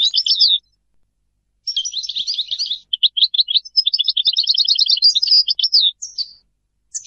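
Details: Goldfinch song in broken phrases: a short twitter, a pause, then scratchy chatter, a run of clipped chirps and a fast rattling trill, ending with single slurred notes.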